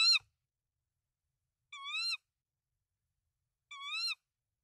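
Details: Tawny owl at a nest with three eggs in Denmark, 24 March 2024, the male bringing rodents to the female: three hoarse, arching calls about two seconds apart, the first one cut short at the start.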